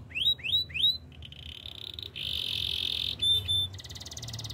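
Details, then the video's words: Canary training song: three loud upward-swept whistles open, followed by sustained buzzy rolling trills at high pitch, a short sharp piping burst, and a fine rapid rattle. "Master canary singing make your canary will sing everytime"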